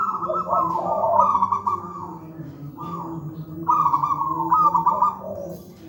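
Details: Singing local wild zebra dove with a deep, thick voice and closely spaced notes, a master for untrained young doves; two long bursts of quavering, trilled cooing with softer lower notes between, steady hum beneath.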